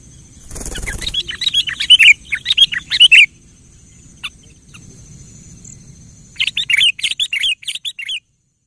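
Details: Sooty-headed bulbul song used to provoke a quiet bird into singing: bursts of short chirpy notes, about 1.5 to 3.2 seconds and again from 6.4 seconds, with a loud thump near the start and a steady high hiss throughout.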